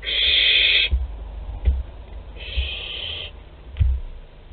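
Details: Young barn owl in the parents' food store, Théding, France, 10 July 2021: two drawn-out raspy hisses, the first louder, separated by light knocks and scuffing.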